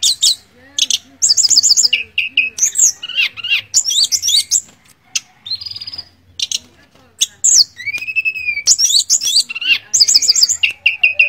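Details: Mangrove blue flycatcher delivering a long, varied song of high trills, buzzy chattered bursts and clear down-slurred whistles in rapid phrases with short pauses, over a faint low hum.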